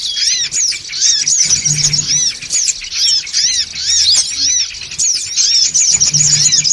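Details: Busy high-pitched chatter of songon birds for luring, sharp squeaky chirps and hooked notes piling up rapidly in bursts, with a quiet low hum in the background.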